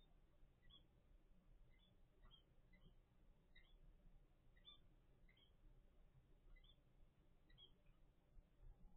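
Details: Faint, thin peeps from a nine-day-old captive zebra finch chick of a first clutch: short high chirps every half-second or so, over a steady low rumble.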